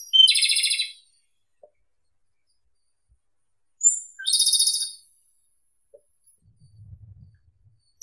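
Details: Two Japanese robin song phrases a few seconds apart, each a high whistle flowing into a quick rattling trill, with quiet gaps and a faint low murmur between.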